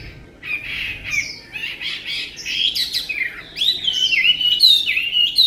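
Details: Chinese hwamei, a tame caged songbird, delivers an energetic stream of slurred whistles, fluty rising and falling notes strung together and growing louder toward the end.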